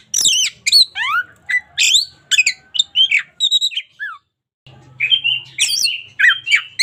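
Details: Oriental magpie-robin of a local strain in full, lively song for daily tutoring: steeply falling whistled sweeps and scratchy chips in fast sequence, a brief pause, then rising and falling whistles over a faint low hum.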